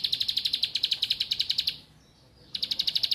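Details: Bar-winged prinia delivering a rapid rattle of sharp high clicks, steadily repeated, stopping briefly then resuming, used to get reluctant or young birds singing.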